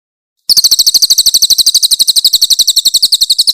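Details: Grey-headed canary-flycatcher (cililin) in a master recording of harsh, loud song bursts. After half a second of quiet, a piercing high trill starts abruptly and repeats crisp notes rapidly, about eight each second.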